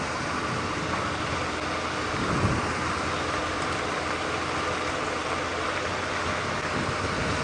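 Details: Steady vehicle engine rumble and broadband noise throughout, with no animal calls standing out.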